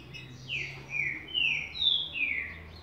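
A Green-winged saltator gives a quick run of five loud, rich whistled notes, some slurring down and others rising, over about two seconds. A faint low hum sits underneath.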